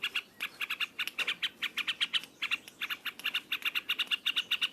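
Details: Loud ngropel-style song of a yellow-vented bulbul, an unbroken stream of quick, sharp chattering notes repeated at an even, rapid pace of nearly three per second, with no other sounds standing out.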